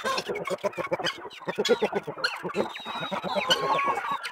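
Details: Chickens kept for rearing on a country smallholding make a rapid stream of short, evenly repeated clucks, several birds overlapping, with higher squeaky notes rising toward the end.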